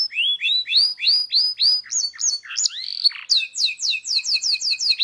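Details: Prolific local canary singing a varied training song: series of upward-sweeping whistled notes repeated about three per second, a few richer warbled phrases, then fast downward-slurred notes over a low steady buzz.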